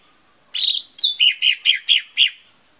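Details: Lesser green leafbird song used as a lure to make birds sing: a sharp whistled note sliding down, then six loud, evenly spaced chirping notes, each about a quarter second apart, bright and high.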